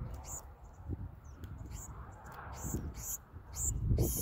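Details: Black-throated sparrows during feeding, adults taking food from a hand and passing it beak to beak; short high buzzy bursts recur irregularly above heavy low rumble and some murmured speech.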